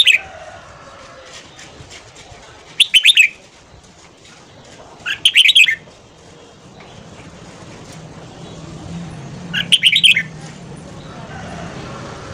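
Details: Red-whiskered bulbul morning song, used for voice training and to stir newly caught birds into singing; short bright warbled phrases of three or four quick notes come about every two to five seconds over a low hum.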